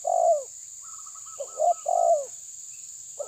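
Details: Spotted dove, tabir style, challenging a rival: deep rolling coos, a long note, then a short one, then another long falling coo, with a faint series of higher clipped notes between them and a constant high hiss.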